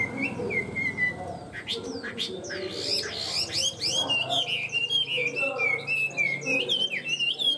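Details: A tame Chinese hwamei sings a long, fluid sequence of warbling whistles that rise and fall continuously, with a few sharp, abrupt notes in the middle.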